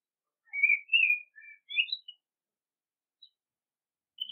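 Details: Common blackbird singing a short run of fluty, warbled whistled notes rising in pitch, followed by a pause and a single brief high note, then another whistled note at the end; no other sounds.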